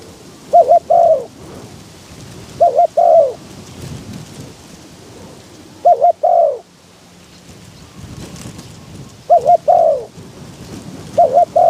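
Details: Spotted dove decoy calling in strong wind to lure wild doves: paired short coos, each followed by a longer falling coo, repeated every few seconds over steady rushing wind.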